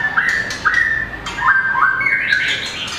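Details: Competition song of a small long-tailed white-rumped shama flicking its tail on its perch: clear whistled notes sliding down and up, clicks, then a rising run of bright warbles.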